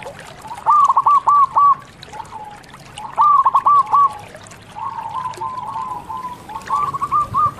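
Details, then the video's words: Zebra dove of local stock, singing keenly, gives loud bursts of five or six rapid, clipped cooing notes, then softer rolling phrases at the same pitch, with steady faint hiss behind. "MASTERAN PERKUTUT LOKAL GACOR"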